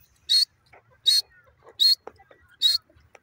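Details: Grey francolin calling: four loud, shrill, harsh notes, each a short burst repeated about every three quarters of a second, with faint soft rustles and low murmurs in the gaps.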